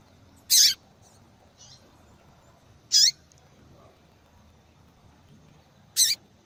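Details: Female double-collared seedeater calling a lot to excite males: three high buzzy calls about every two and a half seconds, with faint softer notes between them.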